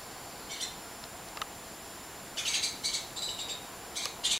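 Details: Suspected great-tailed grackles, birds that eat dog food and yell at everyone, give harsh, squeaky, rasping bursts: a few thin chips first, then a cluster of scratchy squawks near the end.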